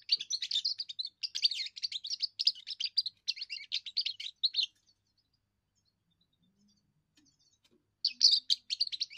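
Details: Young European goldfinch giving its first song, used to defend territory and attract females: dense bursts of rapid tinkling twitters for over four seconds, a pause of quiet, then another twittering burst.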